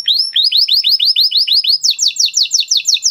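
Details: Male canary song of rapidly repeated downward-swept whistled notes, roughly six per second, switching near the end to faster higher slurred notes.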